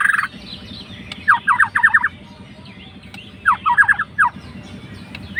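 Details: White-rumped shama (murai batu) fighter provoking a rival: two short bursts of rapid descending whistled notes separated by quiet, with a low steady hum throughout.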